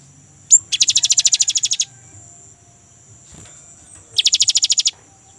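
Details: Rolling song from a young great tit, played as a lure for caged birds: a sharp high chip, then a fast buzzy trill of about fifteen pulses, a pause, and a shorter matching trill, against a constant faint high whine.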